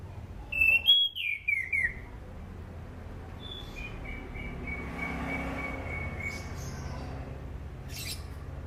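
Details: Sunda pied fantail song used as a lure for training birds. A short burst of high, descending slurred whistles opens, followed by faint drawn-out whistles over a broad rumbling background noise.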